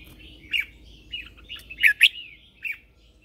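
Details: Red-whiskered bulbul singing in the morning as a lure bird to call wild birds: a lively phrase of slurred, warbling notes that peaks in two loud, rich, twisting notes near the end, then a final chirp.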